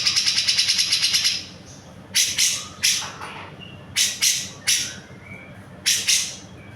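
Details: Cucak jenggot singing energetically, a recording made for training songbirds: a rapid train of about twelve high, harsh ticking notes, then separate broad, rasping bursts roughly every half to one second over a faint hum.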